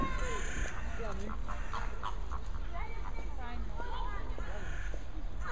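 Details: A mixed flock of greater and American flamingos keeps up a busy chorus of nasal, goose-like honks, many overlapping, over a steady low rumble.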